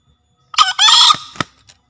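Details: Javan green junglefowl used as a master and lure recording to get newly caught or quiet birds calling. It gives a single harsh two-part crow: a short broken opening, then a longer rasping note, followed by a sharp click.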